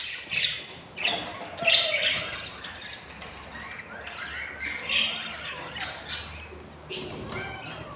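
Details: Budgerigar chicks on their fourth day, hungry in a breeding nest with eight eggs laid and three hatched: scattered wheezy, high chirps and raspy squeaks separated by quieter gaps.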